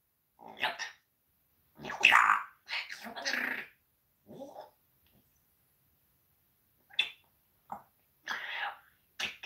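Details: Indoor pet parrot known for swearing, talking back to its owner during a live broadcast. Several scratchy, high-pitched speech-like phrases in short bursts with gaps, ending in quick sharp squawks.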